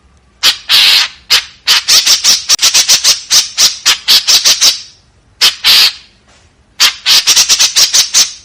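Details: White-breasted woodswallow giving a harsh 'tembakan kasar' volley: rapid, rasping, broadband chattering notes in dense bursts. The bursts are broken by short pauses near one and five seconds.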